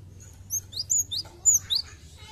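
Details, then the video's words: Lure recording of a cinereous tit: a short run of thin, high chirps and squeaky whistled notes, falling in pitch, spaced about a quarter second apart, with low background hum. "Pancingan Gelatik Batu bahan Agar cepat gacor"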